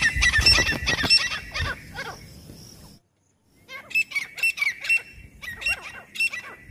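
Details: Francolin call played to lure birds: dense raspy bursts at first, then after a brief gap a rhythmic sequence of loud, coarse notes spaced roughly half a second apart.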